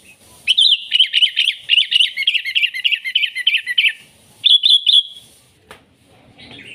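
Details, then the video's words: Sooty-headed bulbul in lively, energetic song, used as a lure to call wild bulbuls and as tutor song: a quick run of bright, slurred chirping notes, roughly three per second for three seconds, then a pause and a short higher burst. "Suara Burung KUTILANG GACOR Ampuh Untuk Panggilan Kutilang Liar dan MASTERAN KUTILANG"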